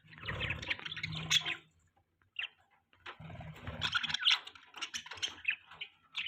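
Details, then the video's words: Mating budgerigars chirp in quick warbling bursts separated by short pauses, mixed with scratchy chatter and a low steady hum in the background. "Beautiful budgies chirping sounds | Budgie chirping sound | budgies mating"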